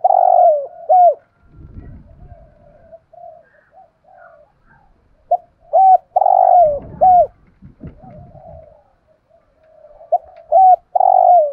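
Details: Spotted dove kept as a decoy, praised for its good voice, cooing repeatedly to lure others: phrases of short hollow coos and longer falling coos repeat several times, with low rustling and thumping noises between phrases.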